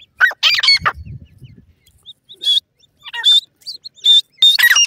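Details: Grey francolin chicks quarrel over grass in a forest, uttering a loud squawky burst, then scattered sharp high notes and brief chirps, with soft rustling early on.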